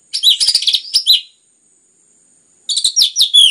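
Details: Orange-headed thrush giving a close, busy song used to spur other birds into singing: two dense stretches of mixed chattering and fluting notes separated by more than a second of silence.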